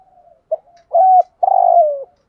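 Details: Cooing of a decoy spotted dove, 'thúc gù' style: low murmurs, a clipped note, a steady level hoot, then a long, trembling coo that drifts gradually lower. No other sounds.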